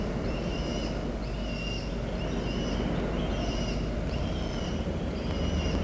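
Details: Peregrine falcon chick in Orange, left home alone on 3 October 2023, gives thin, high, slightly wavering chirps, about one a second, over a steady low rumble of wind or traffic.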